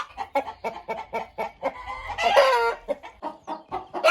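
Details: Chickens clucking: a steady run of short, rough clucks about five per second, with a louder, longer harsh squawk in the middle.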